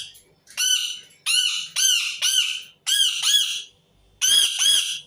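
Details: Harsh screeching of an Indian ringneck parakeet, delivered in short bursts of one to three loud arched squawks separated by brief pauses, with faint background noise.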